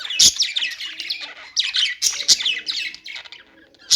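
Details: Busy budgie warbling: fast chains of squeaky and buzzy notes with loud sharp chirps punctuating the chatter.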